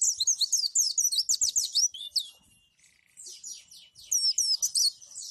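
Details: White-eye song used for training other white-eyes to imitate and learn new song variations: rapid bursts of high, sharp chirps and sweeping twittered notes, a short pause near the middle, then another quick twittering run.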